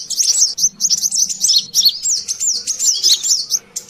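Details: High, rapid, wiry twittering from a noisy brown-throated sunbird used as lure sound, with looping chirps running continuously and only a faint low murmur beneath.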